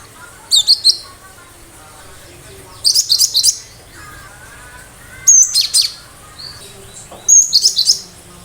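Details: Sharp 'tembakan' song of a gacor cinereous tit: four bursts of three or four high, piercing downslurred notes, repeated roughly every two to two and a half seconds, with faint lower chirps between.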